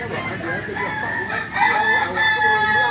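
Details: Kukuak Balenggek rooster, a chicken endemic to Solok, West Sumatra, crowing at a group practice: a sustained, layered, tonal crow with wavering notes running through the whole stretch over a murmur of background noise.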